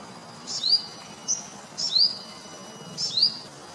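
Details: Singing olive-backed sunbird taking nectar: brief buzzy bursts leading into high, quickly rising chirps, given in irregular pairs and singles about a second apart.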